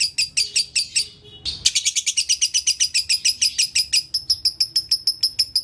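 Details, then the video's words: Lovebird in continuous konslet singing for training other lovebirds: a short pause after an opening burst, then a steady string of piercing, rapid chirps at about three per second over a faint low background hum. "LOVE BIRD GACOR ( KONSLET )"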